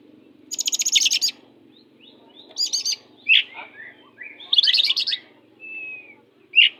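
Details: Fierce song of an oriental magpie-robin, used to train young or reluctant magpie-robins to sing persistently: buzzy high trills alternating with short slurred whistles and downward notes, phrases spaced about a second apart.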